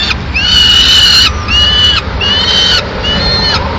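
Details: Madrid peregrine falcon chicks on 19 May 2016 while the female feeds them pigeon. Four prolonged, level, reedy wails, the first longest, each ending with a slight downward slur, separated by brief pauses over steady low noise.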